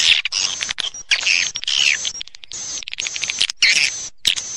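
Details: Swiftlet lure call for the rainy-season breeding period: high, buzzy chirps and dry rattling twitters in short bursts, broken by brief silences, with a few thin whistled notes between.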